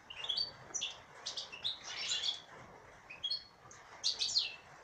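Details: Female European goldfinch in a cage sings in bouts of high twittering mixed with buzzy, rasping notes, louder bursts near the start, middle and end.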